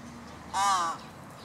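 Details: Large-billed crow chick begging, ignored by its parent, near an arbour: a single harsh, drawn-out nasal caw lasting under half a second, slightly rising then falling, against faint background noise.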